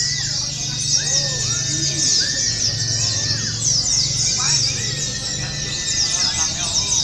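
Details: Oriental white-eye song in a simulated singing contest: long, rapid, high twittering runs pouring on without pause, with lower slurred whistles from other birds and a faint murmur beneath.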